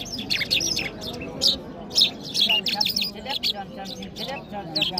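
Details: Singing Mashhadi jal bird, Iranian, recorded in Kabul: rapid high chirps and twittering notes repeated almost twice a second, irregular, over a murmur of people talking.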